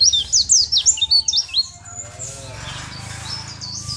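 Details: Sunda white-eye champion song meant as a tutor recording: a burst of bright, rapid swooping notes for under two seconds, then fainter high chatter, over a low rumbling hum.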